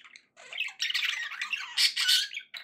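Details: Warble from pet budgerigars: a brief dense burst of harsh, chattering squawks and squeaks, growing louder and brighter toward the end before a short final note; nothing else audible.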